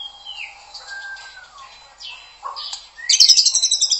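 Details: White-rumped shama song used to make other shamas sing: soft sliding whistles and falling notes, then a loud, rapid, buzzy trill of repeated high notes closing the phrase.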